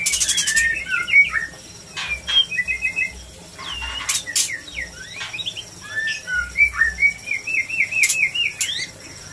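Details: White-rumped shama lure song for quick mating, opening with a harsh burst, then varied whistled phrases and quick trills, scattered loud sharp clicks, and a rolling repeated note series near the end.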